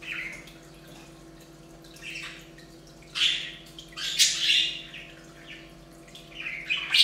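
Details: Budgerigars bathing on a bird fountain give scattered short squawks and chirps. Some are single notes, others come in quick scratchy runs. A steady low electrical hum runs underneath.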